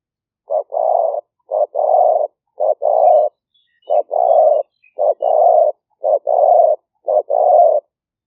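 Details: Continuous cooing of a spotted dove recorded live on a smartphone in rice fields at Nong Khu Phai near Tao Lek, Roi Et, Thailand, in the rainy season as a trapping lure; eight even paired coos, short then long, about one per second.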